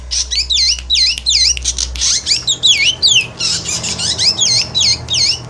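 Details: Javan black drongo giving an emotional chattering song, used to lure birds that are moulting: rapid looping whistled notes swinging up and down, mixed with harsh scratchy bursts, about 2.5 per second, over a low steady hum.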